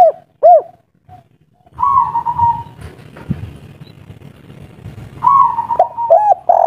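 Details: Spotted dove of the local kuk 3 style, agitated, opens with two short arched coos. A long flat coo over low rumble and a final cluster of hooting notes follow.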